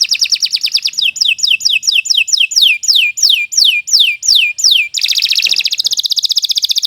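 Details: Kenari Nusantara canary singing a training song: a quick trill leading into a long run of down-slurred whistled notes, then a dense, buzzy rolling trill.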